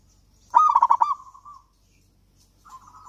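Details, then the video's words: Local Javan zebra dove in full song, a lure for doves reluctant to sing: a quick burst of five bubbly, throaty coos at one steady pitch, then a soft trailing trill and a faint start of another. "perkutut lokal gacor kutut lokal gacor ampuh untuk pancingan kutut malas bunyi dan macet"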